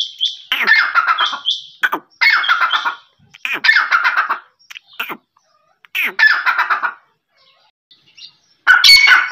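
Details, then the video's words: Quail giving harsh, raspy chattering bursts, each about a second long, repeated roughly every two seconds with brief silent gaps between. "Voice of quail's"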